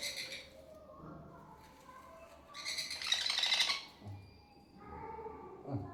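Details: A baby sun conure squawks harshly during feeding, with one long, loud, grating burst midway, softer chattering calls before and after, and faint speech.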